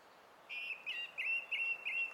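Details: Song thrush on 20 April 2016 repeating a pure, slightly downslurred whistle five times in quick, even succession.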